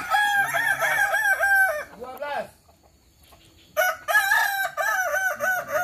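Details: Kukuak Balenggek rooster at a practice crowing contest in Sawahlunto. A long crow of repeated wavy, bouncing syllables ends in a falling note, then after about a second of near silence another stepped crow begins.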